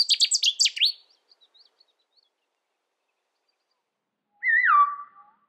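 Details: Cetti's warbler in the UK: a loud, explosive burst of rapid repeated high notes lasting about a second, followed after a pause by a separate lower drawn-out whistle that slides downward.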